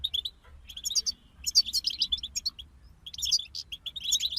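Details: Goldfinch group song, a run of quick high chirps, trills and buzzy notes delivered in clustered phrases with short gaps, low hum beneath.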